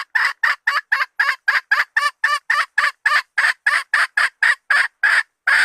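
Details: Hen red junglefowl used as a lure to call in males, giving a rapid, steady run of loud, harsh clucks, about seventeen notes in under six seconds, each short and raspy.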